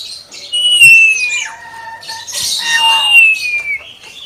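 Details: Common hill myna kept as a pet, singing a long, slightly falling whistle, then a harsh hissing squawk, then another drawn-out whistle ending lower, with faint softer notes between.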